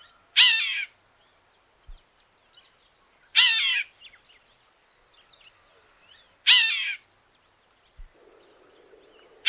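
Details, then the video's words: Wild golden-winged cacique recorded in Paraná, Brazil, giving loud, harsh rasping bursts repeated about every three seconds, with quieter chirps and twitters from other birds between them. "O CANTO DO TECELÃO (Soldado, Sargento) Cacicus chrysopterus!"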